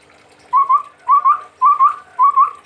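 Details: Chestnut-rumped babbler from Sumatra whistles four clear two-part phrases, each a pair of rising notes, repeated about every half second.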